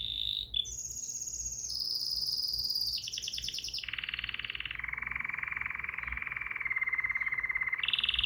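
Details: Bulbul delivering a continuous string of fast trilled phrases that step down from high to middle pitch and settle into a long, even, buzzy rattle before a brief higher note.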